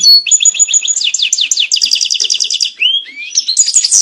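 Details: Goldfinch mating song, intended to make males sing better and bring females into breeding posture: a fast, evenly pulsed chattering trill for almost three seconds, then two rising slurred whistles and a burst of high twitters.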